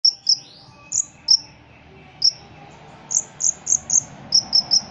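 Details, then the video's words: A ruby-cheeked sunbird sings very high, sharp chip notes in quick bursts of two to four, some clipped and cricket-like, over faint background hiss. "Kolibri Ninja Gacor Isian Jangkrik Kapas"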